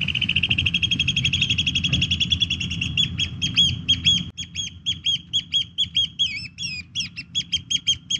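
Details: Eurasian oystercatchers (Haematopus ostralegus) nesting and laying eggs on gravel roads in Korea, gathered on a small islet, pipe shrilly: first a rapid run of notes, then loud separate 'kleep' calls about three per second, over low wind or traffic rumble.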